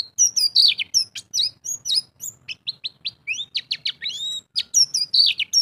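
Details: Fast ngalas bongkar isian singing from a champion pleci white-eye: a long varied chain of sharp high chirps and slurred whistles, some quick downward sweeps, with a soft low hum behind.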